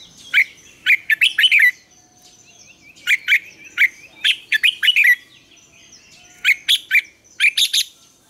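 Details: Morning song of a red-whiskered bulbul in the double-note wild style, a lure recording for training birds: three loud bursts of rapid, bubbling whistled notes, each a cluster of four to six syllables separated by brief pauses.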